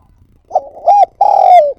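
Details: Spotted dove lure bird calling at close range. A partial phrase: a soft fluttering note, a rounded coo, then a long, strong croo with a vibrating texture that slides gently downward before stopping. Nothing else audible.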